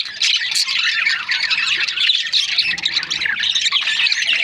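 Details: Breeding pairs of budgerigars, Australian parrots, chirping together: a dense continuous chatter of high warbled and squawky notes with no pauses, several birds overlapping throughout.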